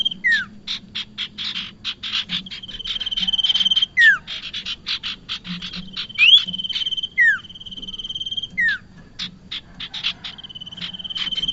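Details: Bar-winged prinia chatter used for trapping lures: sustained rapid buzzy notes with several short descending slurs every couple of seconds and a constant thin high tone behind.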